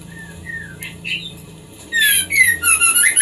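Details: White-rumped shama song, heard as a female stimulating a male toward breeding: a few soft slurred whistles, then loud, fast high-pitched warbling and chirps to the end.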